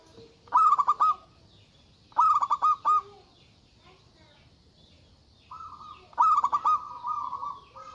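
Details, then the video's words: Local zebra dove singing loudly to call out rivals, giving three bursts of quick stuttering pulsed notes over a low tone, with a long drawn-out coo before the last burst. "Suara Burung Perkutut Lokal Gacor Suara Besar Ampuh Memanggil Lawan Bunyi Emosi"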